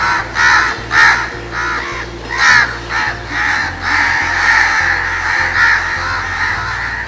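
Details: Mobbing crows give rasping scold calls when facing danger. Repeated harsh caws come first in quick pairs, then blur into a continuous grating chorus over background music.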